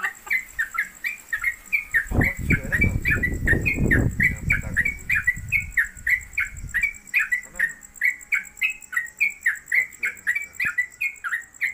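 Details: Trucuk, a Yellow-vented Bulbul newcomer, sings long konslet kemedol song while hung at home or on a pole. Dense, rapid chirps repeat nonstop over a constant high whine, with a rumbling noise burst midway.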